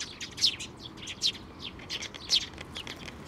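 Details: High, excited chirps from sparrows feeding their chicks at a Tenmangu shrine, 22 May 2024. Notes come quickly and overlap, with louder peaks roughly every second.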